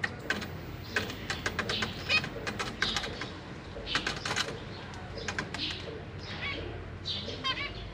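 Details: Zebra finch family in a large cage, with parents busy feeding their babies, 6 May 2023: a steady chatter of short high chirps and nasal notes from several birds, with clicks, flutters and a low background hum.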